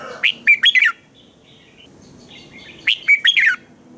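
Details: Red-whiskered bulbul morning song, played to coax other bulbuls into singing: a fast phrase of clear chirping whistles, then a faint distant twitter and a second matching phrase.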